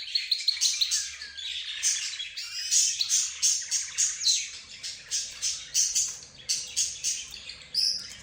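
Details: Mixed cage birds, including budgerigars, zebra finches and a lead canary, sing together: sharp high chirps repeat about twice a second over a steady bed of twittering and trills.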